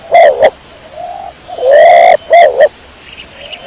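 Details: Close, clear cooing of a kecor domestic pigeon, short paired notes, a quiet mid-length coo, then a long loud coo followed by two clipped notes.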